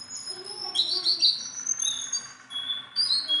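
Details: Hand-tame Sunda bulbul producing loud, high ringing whistles, some wavering and some held, with quieter low notes beneath early in the phrase.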